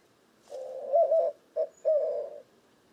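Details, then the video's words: A white-winged dove coos in a short phrase of low hooting notes, a long coo, a brief one, then another drawn-out coo, in the rhythm likened to "who cooks for you." "White-winged Dove Cooing"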